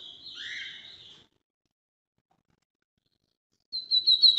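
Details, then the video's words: Brazilian bigodinho (lined seedeater) in its northeast song style, a high buzzy warbling phrase about a second long, silence, then a quick series of sharp, bright, repeated notes. "melhor canto para encarte de bigodinho"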